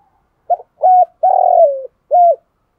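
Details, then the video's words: Luring coo of a decoy spotted dove: a soft short pip, a steady coo, a long rough coo falling at its end, and a closing flat coo, all low and hollow in a quiet setting. "chim cu mồi thúc gù bài bản nhất hiện nay, chim cu gáy kích bổi hiệu quả nhất hiện nay"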